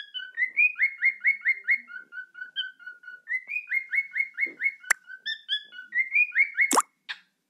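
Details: Cockatiel singing its song: clear whistled phrases, each a rising note followed by a quick series of five or six repeated whistles, repeated three times, with a couple of sharp clicks or knocks near the end.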